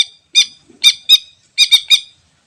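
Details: Greater green leafbird from the wild, used for luring: scattered harsh, rasping squawks, a pair then a quick triplet, each note brief and throaty with ringing overtones.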